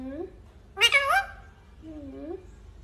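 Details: Pet parrot said to talk, saying "mummy papa": a soft low rising tone, then a loud burst of stacked, wavering harmonic syllables, and a final drawn-out rising voiced note.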